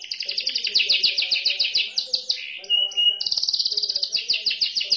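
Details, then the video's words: A white Belgian canary sings a fast, bright warble of rapid chirps and trills, with a brief rolling pause midway before the quick notes resume. "main Burung Kenari Warna Putih"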